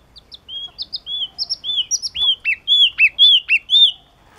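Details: Song of a yellow-cheeked tit, starting softly with thin high notes. It builds into loud, ringing, whistled phrases that each bend downward, repeated rapidly and steadily before stopping.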